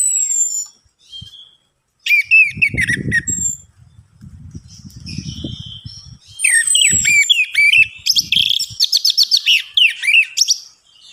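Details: Orange-headed thrush singing as a lure for birds that will not sing: high sliding whistles, then dense, busy chattering and rapid repeated notes, with muffled low thumping and rustling beneath.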